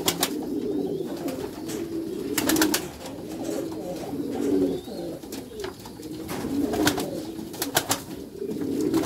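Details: Racing pigeons of the Meulemans strain cooing in a backyard loft. Deep, throaty rolling coos come in waves about every two seconds, with sharp clicks and knocks between them.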